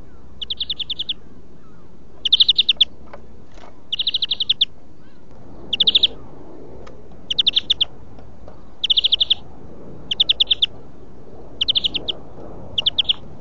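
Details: European greenfinch song for huylandırma training, kekeme style: nine quick buzzy trill rolls of rapidly repeated notes, some louder than others, following each other about every one and a half seconds.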